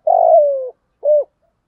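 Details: Decoy spotted dove giving thúc gù cooing, thổ voice: a long hollow coo that starts slightly rough and glides lower, then after a brief gap a single short rounded coo.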